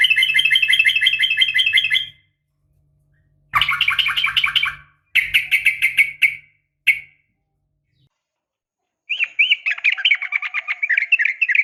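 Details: Female yellow-vented bulbul calling to a male: bursts of bubbly, chattering notes that rise and fall, separated by short silences, with a steady low hum underneath.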